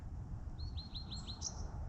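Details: Bewick's wren, confirmed by sight after first being mistaken for a white-crowned sparrow, sings in a Shaughnessy, Vancouver neighbourhood on a fine day: five or six quick, high slurred notes, then a higher, thinner note, over a low rumble.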